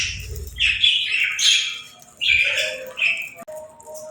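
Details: Playful birds chirping in a relaxing setting: bright bursts of warbled, high chirps sweep up and down, separated by a short pause, with a few lower tonal notes underneath.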